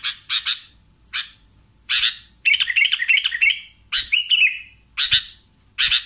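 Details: Sooty-headed bulbul calling, used as a lure for catching bulbuls: rapid sharp chirps in clusters and a longer bubbling warbled phrase, with harsh buzzy notes between, over a faint steady high whine.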